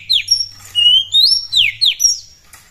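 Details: Oriental magpie-robin in full song, used to provoke other birds into singing: a short run of loud clear whistles, a long rising slur, then several steeply descending notes, with a low background hum.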